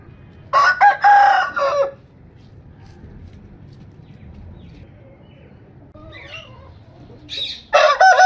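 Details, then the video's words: Rooster crowing twice: a loud harmonic cock-a-doodle-doo with wavering pitch and a falling end, a quiet gap with faint chirps from other birds, then another crow starting. "Rooster Crowing Sound Effect Rooster Crowing Compilation"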